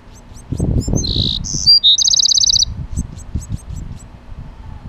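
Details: Male Bewick's wren protecting his nest: loud harsh buzzy notes, then a fast even rattling trill near two seconds, with faint thin high chirps repeating before and after over low rumbling background noise.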